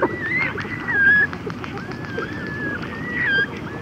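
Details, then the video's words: Red-gartered coot chicks and adults calling to one another at close range: drawn-out thin whistles, some wavering, mixed with soft clucks and a continuous low murmur. "Red Gartered Coot / Red-Gartered Coot. Chicks And Adult Conversational Calls CU."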